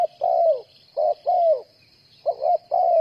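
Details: Close coos from a spotted dove kept as a trapping decoy. The hoarse, mellow notes are slurred downward and come in pairs and threes, with a faint steady hiss high above.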